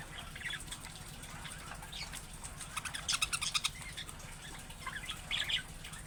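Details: Budgerigar warbling quietly: a busy stream of thin, twittering notes that thickens into rapid chatter in the middle, then a brief squeaky flourish near the end over steady low hum.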